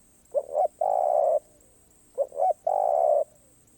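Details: Spotted dove song in karom pa roi style, mistimed: two phrases, each a paired short hoot leading into a drawn-out level coo, with a brief silence between them.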